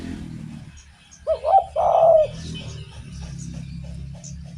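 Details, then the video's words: Spotted dove singing as a lure for other doves. A single phrase of two quick coos and a long, husky, slightly falling note stands above a steady low background rumble. "SUARA BURUNG DERKUKU GACOR ENAK DIDENGAR || BAGUS BUAT PANCINGAN"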